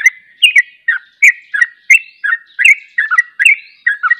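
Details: Rapid 'ropel' singing from Sooty-headed bulbuls, another bulbul joining in. Quick, liquid two-part whistled phrases follow one another almost without a break, each note slurring downward.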